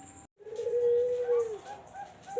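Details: Barbary dove call, played as a lure for zebra doves: after a brief pause, one long, low, steady coo held for over a second, dropping at the end, with faint higher overtones.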